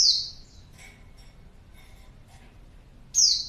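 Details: Female white-eye calling, used as a lure to draw responses from males: two loud, thin, high notes sliding downward about three seconds apart, with faint softer chirps between them.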